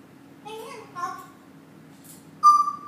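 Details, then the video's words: Talking Congo African grey parrot, April 2013: two short, rounded, word-like syllables, a pause, then a clear level whistle held for half a second, indoors in quiet surroundings. "Congo African Grey Parrot Talking"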